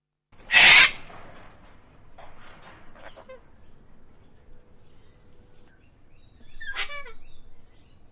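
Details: One of two cockatoos on a house roof in Australia gives one loud, harsh, raspy screech, then a few softer rasping notes and a second shorter screech near the end, against a quiet outdoor background.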